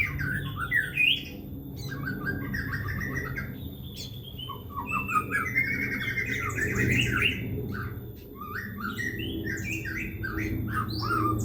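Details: Song of a white-rumped shama (murai batu) used as a lure at home: a busy stream of chattering, whistled and buzzy notes with mimic-like variety, over steady low background hum.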